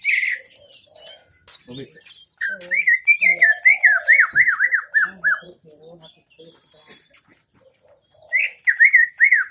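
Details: Greater green leafbird from Aceh Tengah singing a song with MB fill-in material: bursts of loud, rapid, rippling whistled and warbled phrases, with chattering notes and quieter lower whistles between bursts and a long pause mid-clip.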